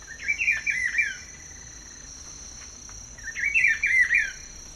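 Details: Rufous-browed peppershrike (Cyclarhis gujanensis) song, one of several regional populations (São Paulo, Mato Grosso do Sul, Amazon) compared for dialects: a rich, rolling whistled phrase of several warbled notes, repeated twice, over steady insect buzz.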